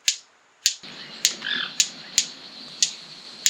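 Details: White-collared Manakin in Caño Negro, Costa Rica, making loud, sharp, dry wing snaps like finger clicks during its courtship dance to attract a female, seven about half a second apart, over a soft forest hiss.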